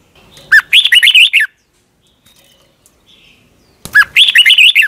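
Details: Thai Red-whiskered bulbul singing a doubled training song for caged birds: a sharp upslurred note opens each rapid warbling phrase, two phrases about three seconds apart with silence between.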